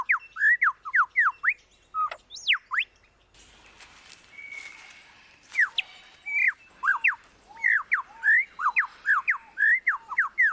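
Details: Mimicry by a lyrebird: rapid strings of short, downward-slurred whistles, briefly broken by a steady held tone and a noisy rustle, then returning to quick, jumbled whistled notes.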